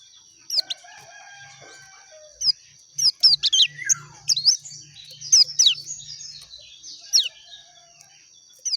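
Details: Oriental white-eye, dakun type, singing clearly: sharp high chirps and short twittering phrases scattered in loose bursts, some quick runs of slurred notes, with a steady faint high hum and low murmur behind.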